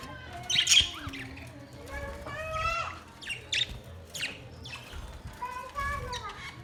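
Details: Budgerigars chirping: a busy mix of short warbled notes and sliding whistles, with scratchy chatter bursts and uneven pauses between phrases.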